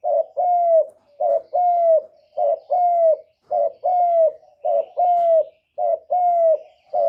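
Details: Spotted dove used to lure wild doves for trapping, cooing steadily: short note followed by a long, slightly falling coo, the pair repeated about once a second, seven times in a row.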